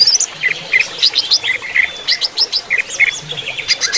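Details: Captive Greater Green Leafbird, with a flowing-water sound meant as therapy for stressed birds, sings a fast varied run of high chirps and slurred whistles, about three notes a second, over a faint steady hiss.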